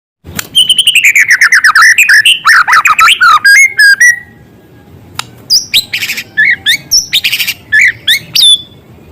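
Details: White-rumped shama singing vigorously with filler material of small-bird sounds: fast rattling trill of downslurred notes near 2–3k, then a pause and scattered sharp chirps and buzzy bursts.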